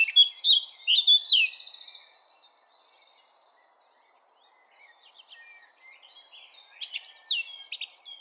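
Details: Eurasian blackcap singing a quick, varied warble mixed with louder clear fluty notes for about two seconds, followed by quieter scattered high chirps and another burst of twittering near the end.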